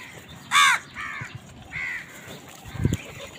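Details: A loud, ragged caw from crows fighting for food, then two quieter, nasal caws in quick succession, and a low thump near the end.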